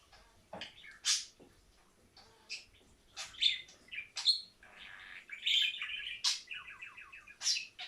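A budgerigar chatters in quick, scratchy chirps and bright clicks, with a short run of rapid repeated notes.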